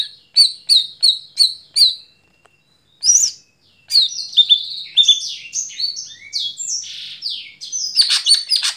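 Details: Greater green leafbird singing at night: five evenly spaced high, clear notes, then a long, fast, varied twittering run of slurred whistles and chatter that rises in intensity.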